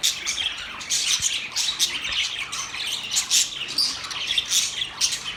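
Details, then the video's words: Several budgerigars warble and chirp at once, producing a restless high twittering with sharp squawky accents and uneven rhythm throughout. "Budgies bird talking video | birds chirping sound | Singing Budgies sound"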